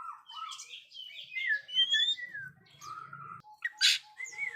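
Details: Oriental magpie-robin song meant to teach young birds that are still silent: a continuous stream of varied whistles, falling slurs and warbled phrases, with a faint low hum underneath and a sharp harsh burst near the end.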